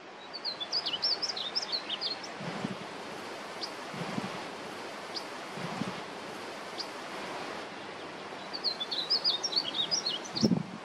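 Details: Juvenile painted bunting singing outdoors: short bursts of high, quick, warbled chirping notes at the start and again near the end, with a steady background hiss and a few low thumps between phrases.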